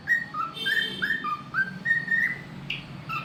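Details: Talkative pet cockatiel singing: a series of clear whistled notes alternating between higher and lower pitches, each short and slightly rising, ending with a brighter upward whistle, over a quiet indoor room hum.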